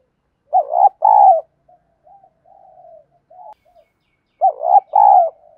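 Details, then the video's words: Spotted dove coo in the 'thổ đồng' lure voice, used to train new wild-caught birds: two mellow double-note phrases at the start and end, separated by quiet, wavering murmurs. "tiếng Cu gáy mồi giọng ĐỒNG hạp bổi kích mồi luyện bổi mới gáy theo hiệu quả"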